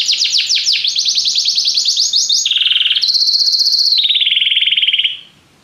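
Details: Canary singing: rapid series of steep descending sweeps, then level trilled segments at shifting pitches, ending abruptly after about five seconds.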